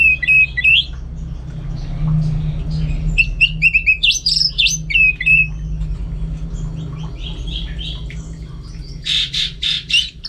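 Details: Caged orange-headed thrush singing actively at home: clear whistled phrases near high pitch, short slurred notes in bursts, ending with a run of rapid buzzy strokes, over a steady low hum.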